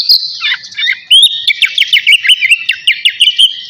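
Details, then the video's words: Caged navy-type oriental magpie-robin singing actively before bathing: a fast stream of loud whistled and chattering notes, many short downward-slurred phrases, high and busy, with rapid clicking notes near the end. "KACER NAVY GACOR SIAP MANDI"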